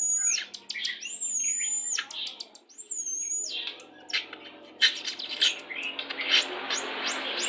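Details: White-rumped shama of the 'pastol' type, played as a lure song to bring birds into breeding condition during pairing; high whistled slurred notes and long rising whistles mixed with rapid clicks and harsh chattering phrases.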